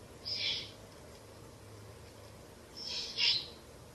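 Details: Owlets in a nest inside a ruin, late on a Tuesday evening at the end of April, while the adult female brings a rabbit and feeds them. Two breathy, hissing bursts, high-pitched and about a second apart, over quiet low background hum.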